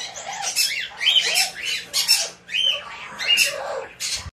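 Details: Hand-tame white-bellied parrot chick, recorded 20 June 2024, giving harsh, raspy squawks in rapid bursts, about seven over four seconds, each broad and grating with slightly rising-falling tone, in a quiet indoor room.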